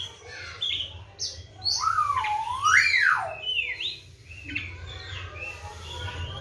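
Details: Oriental magpie-robin kept in a cage, bathed morning and evening and fed crickets, singing loud sweeping whistles that rise and fall in broad arcs, mixed with short high chirps, against a faint low background hum.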